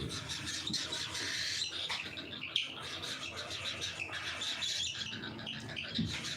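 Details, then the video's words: Cockatiels at feeding time chirp and chatter in a busy, overlapping jumble of short high notes, with rustling and clattering in the background. "FEEDING TIME COCKATIELS"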